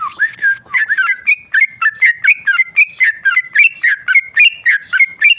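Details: Sooty-headed bulbul, tame male, in rapid ropel song: a chattering burst opens into an even, fast string of whistled phrases with bright upslurred tips, barely pausing.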